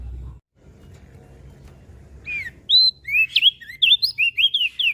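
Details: Mountain leaf warbler singing: a low background rumble, then a fast burst of high, clear whistled notes that slide up and down in quick succession during the second half.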